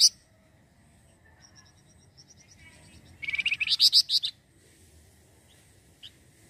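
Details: Flamboyan bird, singing well, as a lure for catching birds: faint high notes build into one loud burst of about eight rapid piercing chirps, then near silence with a single short chip.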